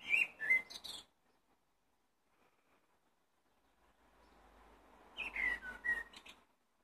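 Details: Blackbird singing: a short burst of sharp whistled notes with a scratchy twitter, a long pause with faint hiss, then another phrase of warbled whistles and twittering notes.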